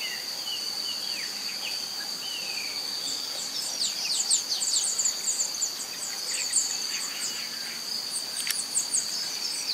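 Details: 1 Rufous-tailed jacamar (Galbula ruficauda) recorded in Serro, Minas Gerais, Brazil, giving high, thin, sharp notes that quicken into a rapid excited series, over a steady shrill drone of insects.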